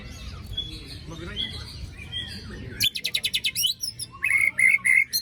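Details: Lure for white-rumped shamas that went silent after moulting: soft background noise, then a burst of rapid harsh rasping pulses, followed by repeated ringing whistles.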